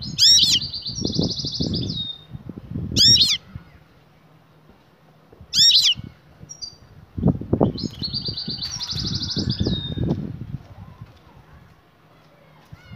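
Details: Excited female European goldfinch calling to the male for mating: short high buzzy trills and sharp twittering notes, repeated several times, with frequent low knocking and rustling noises between them.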